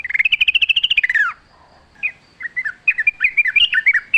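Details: Wild yellow-vented bulbul singing in forest: a quick run of even, bright notes that slides downward and ends, a short pause, then scattered bubbly warbled phrases that speed into a lively chatter.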